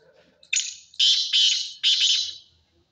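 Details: Kala teetar, the black francolin, giving a loud rasping call: a brief lead-in note followed by three strong, scratchy bursts about half a second apart, fading at the end over a quiet background.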